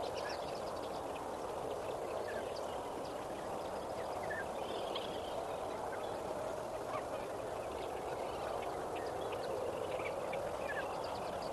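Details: Distant-sounding lesser flamingo flock at Kamfers Dam at sunrise, 18 May 2024, a soft, even murmur of many honking birds with only a few isolated clearer notes breaking through.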